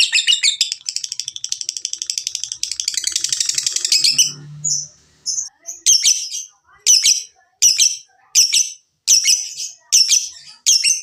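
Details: Lovebird in ngekek chattering song, used to stimulate other lovebirds to sing: a four-second run of very fast high shrill chatter, then separate sharp high squeaky chirps about every three-quarters of a second.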